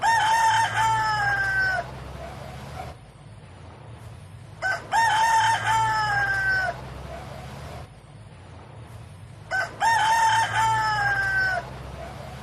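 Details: Rooster giving three full cock-a-doodle-doo crows about every four and a half seconds. Each is loud and harmonic-rich, opens with short notes, then a long drawn-out tone that falls at the end. A faint low rumble sits underneath.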